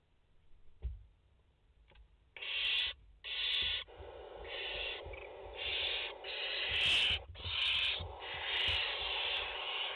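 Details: Barn owl chicks, five in the nest, on a live nest camera, 29 August 2021: harsh broadband hissing screeches in bursts of about half a second to a second, overlapping and repeated, with faint clicks and rustling between them.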